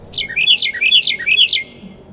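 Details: A Carolina Wren sings its loud "teapot"-type song: ringing phrases repeated about four times in under two seconds, each a quick high note slurring downward. Only a faint indoor hush lies beneath.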